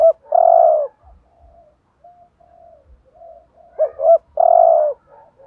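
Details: Spotted dove urging coo for stimulating other doves: a long coo ends, soft low murmurs follow, then a full phrase of two quick notes and a drawn-out coo.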